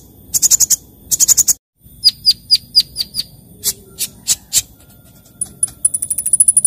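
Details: Morning sunbird song: two short rapid high trills, then a series of sharp descending chirps roughly every quarter second, ending in a fast thin twittering run.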